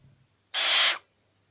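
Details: Tame captive barn owl, grumpy while being tickled during early glove training, lets out a single harsh, breathy hiss of about half a second, with a man's voice speaking just before.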